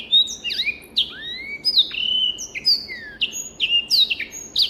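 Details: Clean tutor song from a black-throated canary: lively sequence of sliding whistles, some long downward glides and rising upslurs, sung steadily with tiny gaps.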